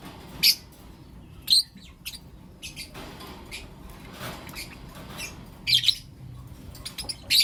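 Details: Blue opaline and lutino opaline lovebirds chirping in the morning: sharp high chirps at scattered intervals, some in quick pairs, over a soft background hiss.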